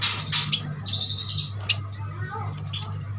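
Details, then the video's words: Short, bright high chirps and quick twitters come from caged Kalimantan yuhinas kept as a group, spaced irregularly among soft clicks over a constant low hum. "Burung yuhina gacor"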